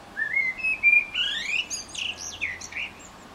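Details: A Eurasian blackbird in Utrecht on 9 June 2014 sings a mellow, fluty whistled phrase that breaks into a run of high, squeaky twittering notes; nothing else stands out.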